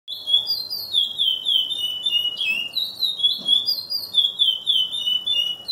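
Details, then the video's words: Captive-bred chestnut-bellied seed finch (curió) singing a loud, continuous run of clear, fluty whistles, each note swooping up or down, flowing without pause. "Curió pelado"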